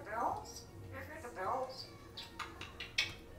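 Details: Pet African Grey parrot, six years old, kept indoors, talking in short speech-like bursts with falling slurred syllables, followed by clicks and sharp bursts; a second parrot is also in the room.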